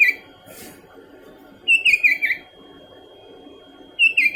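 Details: Sooty-headed bulbul in continuous calling, giving a short bright whistled burst of three or four bubbly, downslurred notes mid-clip, bracketed by brief fragments of the same phrase at both ends over a quiet background hum.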